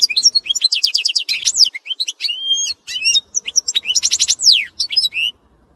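A goldfinch-canary hybrid sings a fast, continuous medley of high twittering trills, rapid chirps and sweeping whistled notes, with only brief pauses and nothing else heard.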